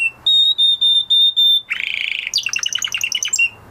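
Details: A male canary, recovering his song after moulting, gives evenly spaced pure whistles, then a harsh buzzy trill and a tumbling string of rapid chirps.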